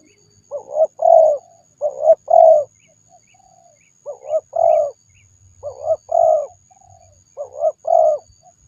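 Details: Spotted dove cooing: low mellow phrases of a short note followed by a longer rolling coo, repeated four times with pauses of about a second. Quiet background.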